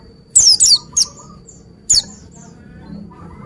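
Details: Quick run of high descending whistles from a pleci (Oriental white-eye): three close notes, then a single one after a short pause, over a low steady hum.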